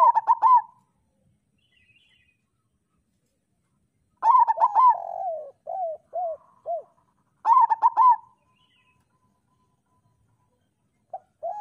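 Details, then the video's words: Local zebra dove master song for coaxing quiet doves into singing: three bursts of rapid clipped notes about every three and a half seconds, each followed by soft rolling trills and short bowed coos, with silence between. "Perkutut lokal gacor Suara Masteran Burung Perkutut Paling Ampuh"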